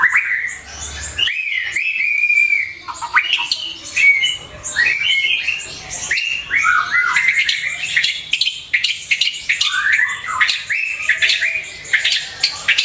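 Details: Lure and master song of a white-rumped shama for pet birds: a long, rich, varied medley of whistles, warbles and sharp chips, delivered almost without pause.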